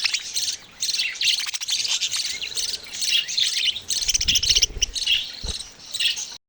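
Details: Budgerigar babies call in repeated loud bursts of high, raspy chirping chatter with short gaps, plus a few low knocks.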